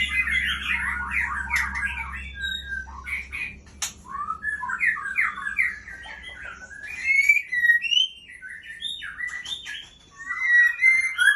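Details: Female White-rumped shama of the Aceh type from Ujong Pancu, singing varied whistled phrases: quick slurred notes rising and falling, with scratchy chatter between them and a few sharp high clicks.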